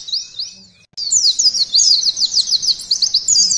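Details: After a few soft rising notes and a brief silence, a mountain white-eye bursts into a fast, loud run of shrill slurred whistles in the canary 'nembak' training style.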